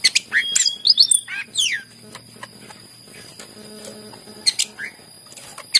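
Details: Greater green leafbird singing to draw out other leafbirds: a quick run of high whistled and slurred notes, several falling steeply, then a quieter stretch with a soft low hum and a few more sharp notes near the end.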